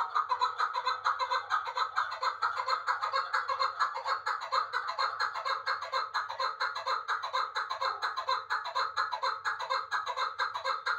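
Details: Chukar partridge from Uzbekistan, kept in Dushanbe: a continuous, rapid, regular chattering of harsh clucking notes at roughly two per second, sustained throughout.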